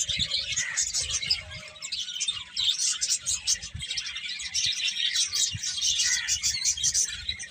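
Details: Many birds twitter together in a high, continuous chorus of overlapping chirps, with occasional soft low knocks underneath.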